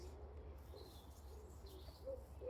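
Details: A wood pigeon gives soft, low, hooting coos, one after another, over a steady low rumble, with faint higher bird notes (a chiffchaff calling nearby) in the distance, in Saltwell Park in early spring.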